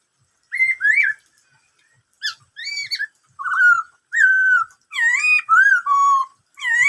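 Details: Rich whistled song of a Black-throated laughingthrush, the 'bắt cô trói cột' style: a run of about eight varied fluty phrases, some rising, some falling, growing denser toward the end.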